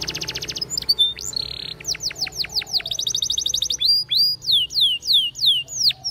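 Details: Training song of a Belgian canary: a quick pulsed trill, a brief buzzy note, then rhythmic series of arching whistled notes that dip and rise, roughly three per second, loud and clear against low background hum.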